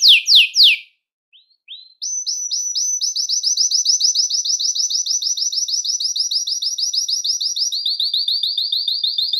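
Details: Belgian canary song used to attract and call other canaries: a few loud downward sweeps, a short pause, then long fast trills of rising high notes repeated about three per second, shifting to a lower trill near the end.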